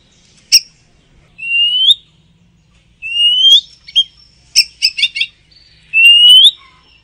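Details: Oriental magpie-robin (kacer), ngoceh gacor: spaced rising whistled notes about every two seconds, separated by sharp clicks and a short rapid stutter of chips, with a faint low hum behind.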